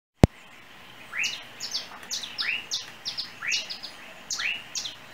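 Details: Small yellow bird perched on overhead cables in Trinidad, unidentified, sings a chirping song: upswept chirps about once a second, interleaved with short high ticking notes, after an opening click.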